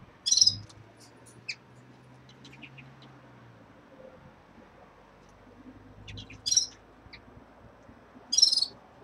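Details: Caged red-fronted serins at the start of moult give three loud, short, bright chirps spaced about two to four seconds apart, with quiet gaps and a low steady hum beneath.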